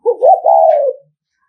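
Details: Spotted dove from Nghệ An, Vietnam, a decoy bird giving a provoking coo to stir up rival males: a hoarse three-part phrase lasting about one second, with a short low note, a rising note, then a long, drawn-out falling coo.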